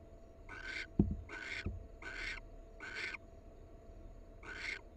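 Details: One of a wild barn owl pair. Five hoarse, rasping hiss-screeches in quick succession, about two each second, with a couple of sharp knocks or taps early on and a low steady hum underneath.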